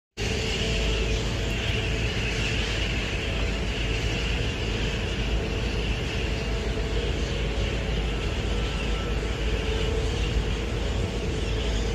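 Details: Steady broadband noise from traffic or an engine, with no animal calls standing out.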